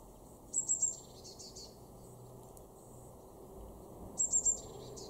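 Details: A great tit in a garden in Weener, East Frisia, Germany, in March 2024 gives two bursts of three very high, thin, quick notes about three seconds apart, followed by softer lower notes, over a steady low rumble.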